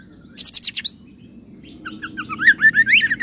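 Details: Oriental magpie-robin singing with cililin and serindit imitation: a fast burst of high sharp ticks, a pause, then a rising tumble of warbled whistles; faint low hum throughout.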